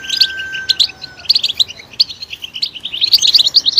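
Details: European goldfinch song, played to encourage goldfinches to sing: short bursts of bright, high twittering chirps, separated by brief pauses at first and then running together into a rapid liquid jingle near the end. A faint steady tone is heard early on.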